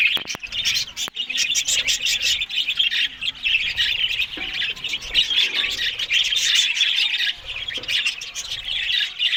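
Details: Morning feeding of budgerigars on green food brings an unbroken stream of harsh, high chatter and squawky notes, with crisp clicking sounds scattered through it.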